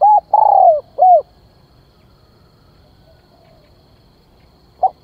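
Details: Decoy spotted dove calling to attract wild birds: a short coo, a longer falling coo and an arched coo in quick succession, then quiet before a single brief note.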